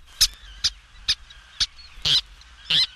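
Least Tern: four sharp, high kit notes about half a second apart, then two longer, harsher squealing calls. Quiet background.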